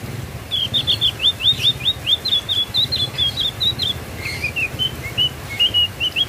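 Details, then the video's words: A Javan grey-throated white-eye gives a fast, high twittering run of short sweeping notes, then a lower, slower series of chirps, over a faint low rumble. "BURUNG OPIOR JAWA SUARA MANTUL"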